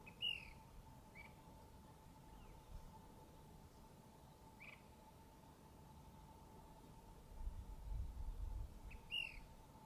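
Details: Ash-throated Flycatcher singing on the morning of April 30, 2021, along West Camino Cielo just east of Refugio Pass: short, burry, rolling notes at uneven intervals a few seconds apart, over a steady mid-pitched hum and a brief low rumble.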